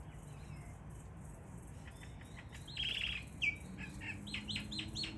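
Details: Wild Sulphur-crested Cockatoos gathered at a morning feeding spot in Australia give harsh, scratchy squawks midway, then a run of shorter rasping notes over steady background hum.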